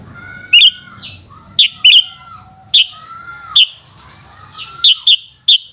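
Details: Sooty-headed bulbul song in the afternoon: repeated short, liquid whistled phrases roughly every second, with softer drawn-out whistles from other birds and a faint low hum between them.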